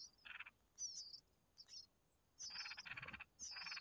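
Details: Bulbul chicks (red-whiskered) beg as the mother feeds them: harsh pulsed rasps in short bursts, mixed with high thin squeaky notes.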